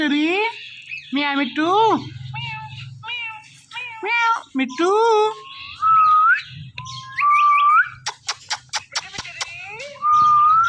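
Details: A pet ringneck parrot chatters to a phone: repeated wavering meow-like calls, short rising whistles and a run of sharp clicks near the end, with faint music behind.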